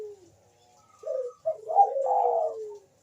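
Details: Bangkok-type zebra dove, a lure for mating urge and singing, gives a short soft coo then a rising, swelling warbled phrase that slides down at its end, with a quiet start.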